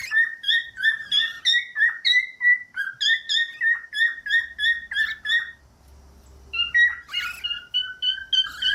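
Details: Pet cockatiel song for teaching birds to whistle: quick repeated harmonic whistles roughly three per second for several seconds, a short pause with low hum, then a squeaky chatter and more level whistled notes.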